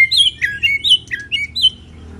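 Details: White-rumped shama, moulting, singing in the kéo thuốc lào style: a quick run of clear, varied whistled notes that slide up and down, each short phrase separated by brief gaps.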